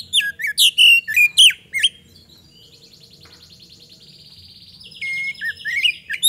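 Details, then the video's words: Magpie-robin song meant as a lure for other birds: loud sharp whistled notes with hooked down-strokes, then soft rapid trills and a buzzy rising phrase near the end. "PANCINGAN KACER GACOR AGAR CEPAT RESPON"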